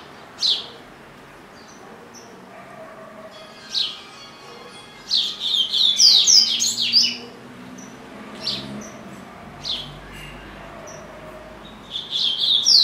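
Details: Caged pet double-collared seedeater that sings all day long; spaced high chirps alternate with bursts of fast, bright, slurred whistles, the loudest rapid phrase near the sixth second, with a faint low hum in the room.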